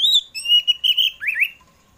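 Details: Afternoon song of an Oriental magpie-robin, used to prompt pet birds to sing: a sweet, sustained whistled phrase that wavers, then drops into two quick slurred notes.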